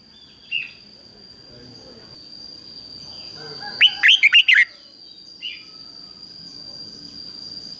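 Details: Decoy red-whiskered bulbul kept to call wild birds in for fighting, giving one rapid phrase of about five bright, rolling whistled notes mid-clip, with a few soft single notes before and after and a constant thin high tone behind.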